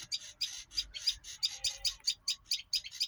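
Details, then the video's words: Slower, fuller chirps from a bird, around one and a half per second, each a short bright burst, over a quiet background. "bird chirping"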